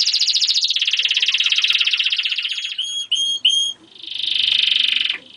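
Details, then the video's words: German crested canary song made of long rolling trills, broken by three short bright whistled bursts, then a swelling rattle that fades away. "singing canary MVP (duitsekuif kanarie)"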